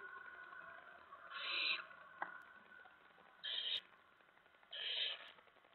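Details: Owlets in their nest in the early morning darkness of 10 September 2017 amid food deliveries; three fainter raspy hisses spaced unevenly, with a sharp click and steady background noise.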